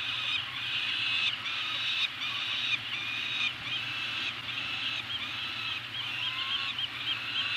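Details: Peregrine falcons on Anacapa, 28 May 2018, during a food drop: a series of grating, whining calls, each under a second, repeated with short gaps against a constant background hum.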